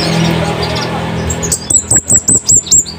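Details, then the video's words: Scarlet-headed flowerpecker, a recording used as a master for training caged birds, with a loud, sharp wild-style voice: after a noisy opening, a run of about six thin, very high piercing notes at an even, quick pace. "Cabean Bunga Api gacor"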